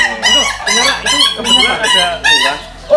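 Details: On a morning visit to an ayam ketawa farm in Pudakpayung, Semarang, a laughing chicken crows in a quick run of harsh, bright syllables, roughly two per second, over a low steady hum.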